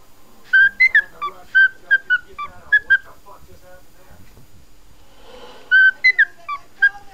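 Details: A pet cockatiel singing to a puppy whistles clear, bright notes in quick runs, some rising and some falling, then pauses and gives a second short burst of the same tune.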